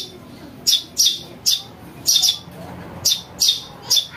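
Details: House sparrow chick calls meant to lure birds: clean, very high chirps, single and doubled, repeated roughly every half second against near silence.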